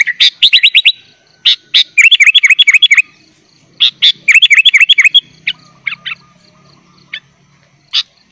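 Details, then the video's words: Sooty-headed bulbul, gacor full isian song for training young bulbuls: rattling runs of fast chips and looping whistles for five seconds, then sparse single notes over a faint low hum. "kutilang gacor full isian"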